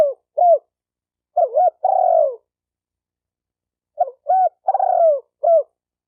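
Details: Spotted dove call used to excite males and females. Two clusters of short rounded coos, each with a long falling coo, a gap of nearly two seconds between them, and nothing else audible.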